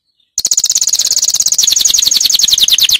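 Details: Canary song for training: a rapid, high, rattling trill that starts abruptly and continues steadily, its notes sliding a little lower toward the end.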